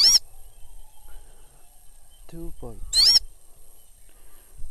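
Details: Falconry Sulawesi goshawk hunting, letting out two loud, ringing screams about three seconds apart, with a brief burst of human speech between them and low background rumble.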